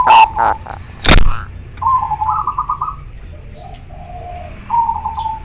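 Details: Local zebra dove in strong breeding condition, singing persistently with a very clear, natural voice; a few trilled cooing phrases near one pitch, partly masked by a loud broadband thump and rustling.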